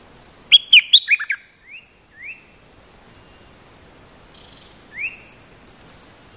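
Bulbul giving a burst of bright, bubbly chirps, then short upslurred whistles; a thin, high, rapidly repeated series chimes in near the end.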